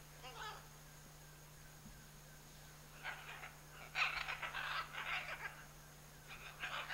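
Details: Pair of scarlet macaws in the Chiquibul area: a brief rasp, a pause, then a dense burst of rapid, harsh, scratchy squawks tumbling together, and a final rough volley, with a faint low hum throughout.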